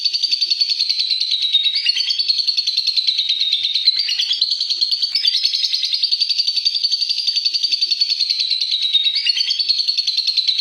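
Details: Lovebird tengklek giving a long ngekek song, a fast, unbroken, high-pitched chattering trill of rapid, very even pulses that wavers slightly in pitch and keeps going without pause.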